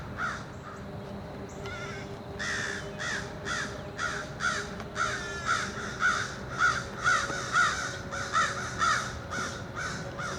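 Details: Two adult American crows and their fledglings on a dumpster in early summer, when fledglings leave the nest, give a steady run of harsh, croaky caws, about two each second, the fledglings' rougher and more nasal, over faint hum.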